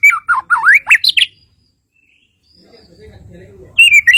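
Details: Kalimantan shama sings a fast run of swooping, looping whistles, falls silent for over two seconds while a low murmur rises, then returns with a bright, clear whistled phrase.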